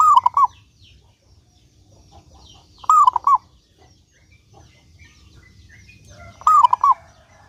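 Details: Vigorous local zebra dove whose song is meant to lure other doves into singing: three rippling cooing phrases of three to four notes, spaced about three seconds apart, over a steady low background hum.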